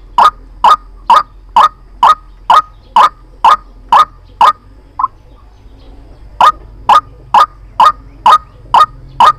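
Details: White-breasted waterhen trapping lure: a fast regular train of loud harsh notes, a soft single note after a sudden break of about a second and a half, then the same steady croaking resumes.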